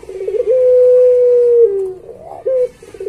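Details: Barbary dove in pelung-style song, used to train pet doves: a long level held coo that drops at its end, followed by a short rising note and the start of a trill.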